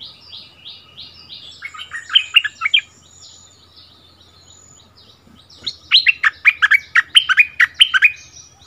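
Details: Bulbul dueling with a resident territory holder: faint repeated high notes, a short chirped phrase, then a longer lively burst of bright, bouncing notes.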